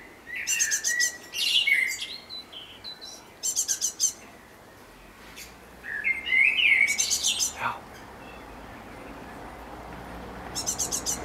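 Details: On 11 May 2014 in a garden, a great tit delivers loud bursts of quick, high buzzy notes, mixed with brief lower whistled phrases, repeated at irregular intervals.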